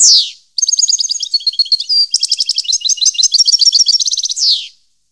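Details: European goldfinch singing in 2015: a buzzy downslurred note, then a long run of tinkling high twitters, a brief whistled note and a rapid rattling trill, closing with another harsh descending buzz.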